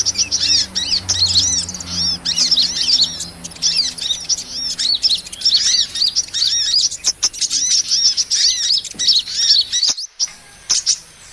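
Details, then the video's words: Sunbird lure for trapping small birds: continuous shrill twittering of thin, high chirps with curved notes and faint lower echoes, nearly unbroken for ten seconds, then a short pause and a few scattered notes. "SUARA PIKAT MP3 BURUNG KOLIBRI"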